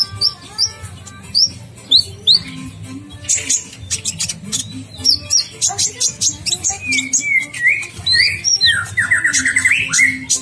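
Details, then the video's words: Kolibri ninja sunbird singing in a lively, varied sequence of high thin chirps, upslurred whistles and dense clicking bursts, ending in a fast rolling trill, with a low droning hum beneath. "Masteran kolibri ninja gacor"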